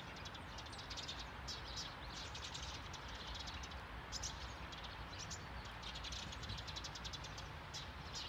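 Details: Flock of Eurasian tree sparrows (Passer montanus) calling in a bush on a lawn in Sundsvall, Sweden, 9 November 2021: a busy stream of short chirps over a steady low rumble of traffic.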